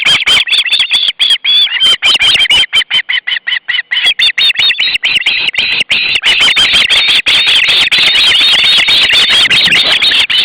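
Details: August 2012, young ospreys at the nest clamour for the fish the male has brought. Dense, overlapping shrill squeals and chattering whistles pour out without pause, several birds calling at once.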